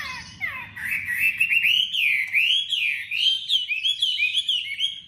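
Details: A Chinese hwamei, described as a newly tamed bird with a sharp voice, sings a loud, rich run of slurred whistles, rising and falling phrases delivered rapidly and continuously at a high pitch.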